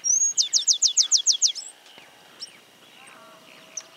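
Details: A stripe-capped sparrow in Santa Fe, Argentina woodland sings its song of a high whistle followed by a rapid trill of about eight bright, slurred notes, then faint distant chirps.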